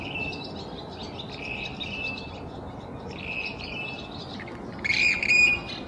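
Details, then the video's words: Western grebes selecting a mate at early morning sunrise; a series of softer, rasping calls overlapping from several birds, then one louder, harsh creaking call close by near the end, over low background rumble. "How Western Grebe’s Choose A Mate"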